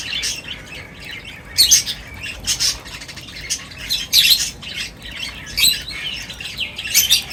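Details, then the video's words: Several birds gathered at feeding time for a meal, giving harsh, squawky chirps in quick bursts, some loud and some softer, in an uneven overlapping chatter. "Birds Feeding Time Sounds | Birds Chirping sounds"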